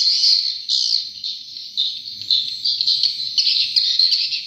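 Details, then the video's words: Swiftlet calls: a rapid stream of high, buzzy twitters, roughly two a second, rising and falling in loudness with short upward sweeps and no break in the chatter. "SUARA ASLI WALET"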